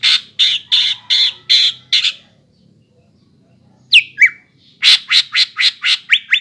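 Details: ["A greater green leafbird's song used to get young birds singing: series of harsh, buzzy notes, a silent gap, two slurred whistles, then a fast string of rasping notes ending in short slurs."]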